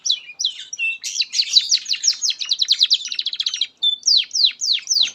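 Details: Training song of a canary for juvenile and stalled canaries: varied high whistles, a rapid accelerating trill, a brief pause, then slower loud downward sweeps.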